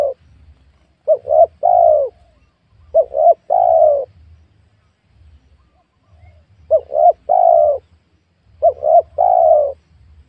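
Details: Spotted dove in a newly planted small oil palm area, wild doves being lured; four evenly shaped three-note cooing phrases, short, short, long and falling, in pairs with a longer gap midway, faint low rumble beneath.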